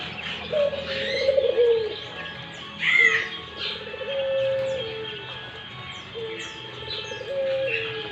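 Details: Barbary dove calling actively, giving a low, drawn-out coo about three times, each coo lasting roughly a second and slightly falling at the end, with higher chirps from other birds scattered across the background.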